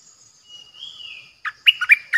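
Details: Bulbul kept for decoying, recorded 8 May 2021: a faint, thin whistle slides upward first, then loud, bouncy chirping notes burst out in quick succession.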